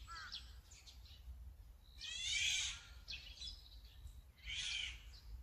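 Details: Azure-winged magpie recorded with a Sony A9 camera and 200-600mm lens: two loud, harsh, rasping screeches about two seconds apart, with faint softer chirps between them and a low background rumble.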